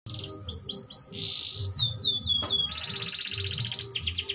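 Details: Canary song of slurred whistles, a buzzy roll and a long even trill, with a steady low rumbling background sound beneath the bird.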